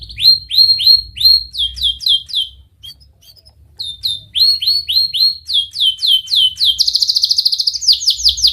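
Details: Canary song used as a lure for young canaries learning to sing: rising and falling whistled notes in quick runs. A brief near-silent pause comes midway, and a fast buzzy trill follows near the end.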